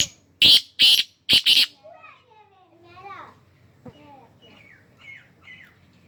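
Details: Black francolin calling: four loud, harsh, grating notes in a quick phrase, two paired bursts in about a second. Softer, thin whistled chirps from other birds follow, with a low background hum.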